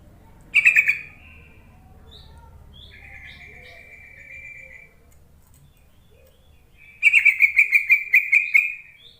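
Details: Yellow-vented bulbul lure call meant to make reluctant bulbuls start singing. A brief bubbly note, a softer steady trill in the middle, then a longer rapid chattering run of pulsed notes near the end.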